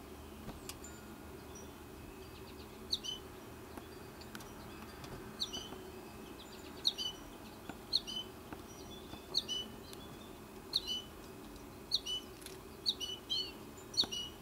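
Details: American goldfinch chirps, thin and high in short bursts about one a second over a steady low hum, as a mother feeds one of two chicks left in the nesting tree.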